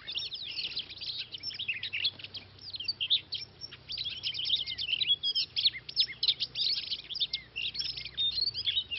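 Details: Oriental magpie-robin recorded during trapping: a busy jumble of high chattering, scratchy and whistled notes running continuously over steady background noise.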